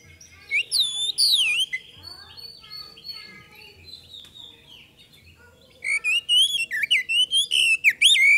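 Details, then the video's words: Magpie-robin (kacer) song played as a lure to prompt other birds to respond: loud whistled phrases with rising and falling slurs at the start, a quieter stretch of thin notes, then a rapid string of bright whistled notes. "PANCINGAN KACER GACOR AGAR CEPAT RESPON, PANCINGAN KACER BAHAN"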